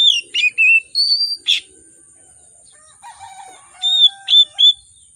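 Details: An oriental magpie-robin sings an agitated, richly filled lure song: a rapid string of whistles and chirps, a pause, then lower harmonic notes followed by more bright whistled notes, with a thin constant high tone throughout.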